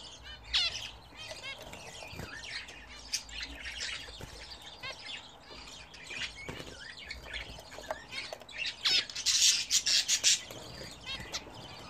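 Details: Budgerigars kept as a home hobby flock, bathing: a continuous, uneven stream of scratchy warbles and chirps, swelling near the end into dense rapid chatter with wing flutter.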